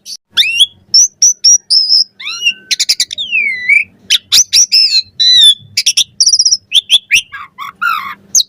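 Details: Master song of an Asian pied starling for teaching other birds: rapid mix of whistled chips, a swooping slurred whistle, harsh rattles and high squeaky notes, delivered in dense bursts.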